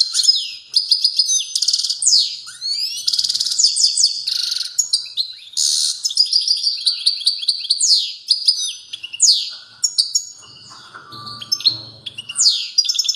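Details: European goldfinch in powerful song: rapid high twittering with rising and falling slurred notes, buzzy trills and sharp chirps pouring out continuously, briefly easing near the end before resuming.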